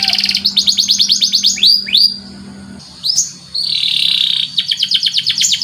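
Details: Canary song of fast buzzy trills, falling slurred whistles and a sustained rolling phrase around the middle, broken by brief pauses; a faint low hum underlies the first half.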